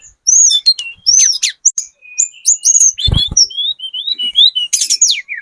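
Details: Spotted mountain-form Sunda robin, used as a lure to make other birds answer: a fast, varied run of high whistled notes and sharp chirps, rising and falling slides, with a brief low thump midway.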